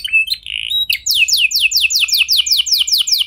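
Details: Canary song meant to get other canaries singing: a short raspy churr and thin whistles, then loud downward-sweeping notes repeated briskly about three per second.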